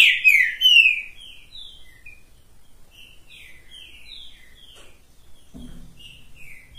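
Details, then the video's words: Green-winged saltator on a person's hand opens with loud, tumbling downslurred whistles, then trails off into faint soft notes; a low thump sounds near the end. "Trinca ferro top das galáxia cantando na mão!"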